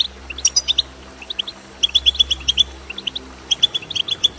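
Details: Chirping of a European goldfinch, meant to spur another goldfinch into song: rapid runs of sharp, high tweets, some twangy, in clusters about every second over a low steady hum.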